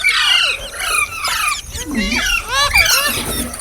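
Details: Green parrot chirps: dense, buzzy, descending whistles at first, then a run of curling, up-and-down squeaky notes with a short dip in loudness midway.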